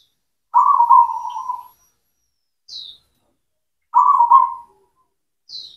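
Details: Local cemani zebra dove in song, used to stimulate silent doves: two long rippling coo phrases, each followed by a short high, falling note from another bird.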